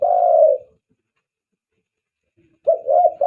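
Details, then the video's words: Spotted dove lure call for attracting doves: one long, steady low coo, a pause of about two seconds, then a wavering series of low coo notes. "SUARA PIKAT TEKUKUR"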